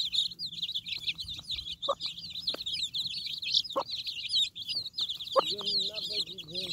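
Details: Chicks peep constantly in shrill, repeated notes while their broody mother hen feeds them, giving occasional abrupt low clucks and, near the end, a short drawn-out call.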